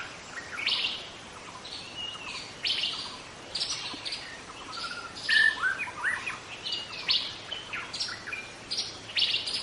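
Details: Wild juvenile White-rumped Shama delivering phrases of whistled and chattering notes, with a few pure piercing whistles in the middle, separated by short gaps; faint low hum underneath.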